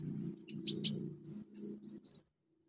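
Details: Sunbird, the local konin or kolibri ninja, kept as a cage bird, heard on a training track to spur singing: a few sharp high chirps and thin whistled notes over a low steady hum.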